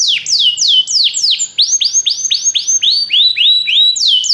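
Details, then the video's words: Belgian canary singing, a fast run of loud descending whistled sweeps, each dropping steeply and then flattening, about four per second, with a high bright tone throughout. "canário belga cantando"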